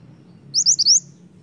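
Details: Snowy-browed flycatcher in lively song, used as a lure for others of its species: four rapid, high, rising whistled notes in under half a second over a low background hum.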